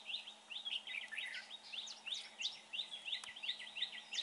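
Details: Red-whiskered bulbul with a good voice, recorded at a trapping site: quick sharp chirps and short down-slurred notes run together almost three times a second, over faint background hum.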